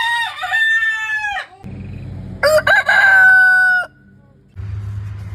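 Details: Rooster crowing in the morning on a farm: the end of one crow with a wavering tail, then a second crow with a choppy start and a long, level, clear held note, with low background rumble.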